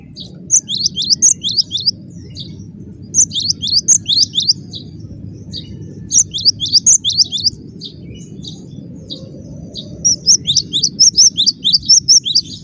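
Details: Cinereous tit in full, busy song: several bursts of bright, high two-note phrases in quick succession, each run broken by short pauses, with a steady low rumble underneath.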